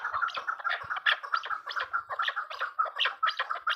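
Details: Female chukar partridge giving dense, gargling clucks that run together in an uneven, hurried series with few clean gaps between notes.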